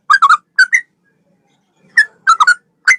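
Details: A male sooty-headed bulbul sings straw-headed-bulbul-style phrases for training songbirds: clusters of two or three gurgling whistled notes separated by a gap of about a second, with otherwise quiet background.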